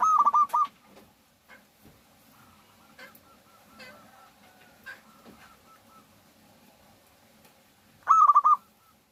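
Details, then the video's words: Local zebra dove song used as a lure to set other doves singing: one short burst of rapid mid-pitched cooing notes at the start and another at the end, separated by a long stretch of faint rustling and clicks. "suara pikat burung Perkutut lokal gacor Jagonya Pancingan perkutut agar bunyi"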